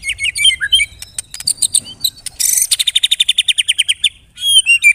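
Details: Lure song of a white-rumped shama (murai batu): varied high chips and whistles, then a long, even series of rapid sharp repeated notes near the end, all high-pitched and loud.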